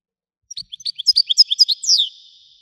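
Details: Goldfinch in Widani style: a brief phrase of scattered chirps building into fast tinkling twitters and ending in a drawn-out, falling buzzy slur.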